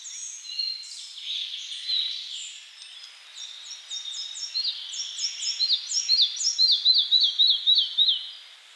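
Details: Red-breasted flycatcher singing: varied thin high notes at first, then a run of clear, quickly repeated short notes that grows louder and ends in a bright series of sharp, down-slurred phrases. No other sounds stand out.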